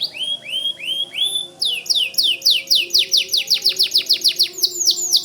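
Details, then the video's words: White canary singing vigorously: slow repeated downslurred whistles, then a fast run of sweeping notes repeated about four per second, all bright and high. "Suara Kicau Kenari Putih Gacor Dor"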